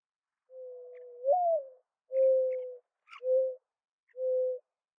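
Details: Soft hollow coos of a mourning dove: one drawn-out note rising into a brief upward slur, followed by three shorter level coos about a second apart, with faint small chirps from other birds in between.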